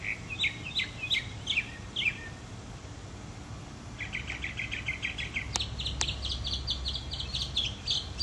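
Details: Mockingbird in Florida, 2005, pausing from preening to sing: quick chattering phrases, then a fast rattling run of repeated notes and a dense high trill, two sharp clicks mid-clip, low hum underneath.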